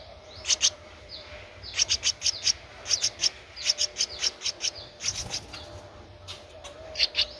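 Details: Thirteen-day-old Streak-eared Bulbul chick recorded 15 April 2023 in Ubon Ratchathani, Thailand, giving rapid strings of thin, high, raspy squeaks, several per second in clusters with brief pauses, against low background hum.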